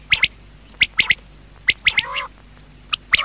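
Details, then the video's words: Quail calling at night, a batair: short sharp high double and triple notes in bursts, spaced irregularly, with one longer harsher buzzy note in the middle. "Quail|Night|Best|Sound| Batair Awaaz"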